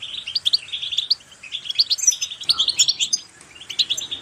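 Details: Goldfinch song played to stimulate other goldfinches to sing: rapid liquid twittering of short chirps and trills, continuous with brief pauses.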